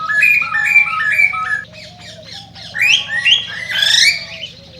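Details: Cockatiel song for encouraging mating, opening with repeated short stepped whistles, then strongly rising harsh whistles and squawks; a soft continuous low hum runs throughout.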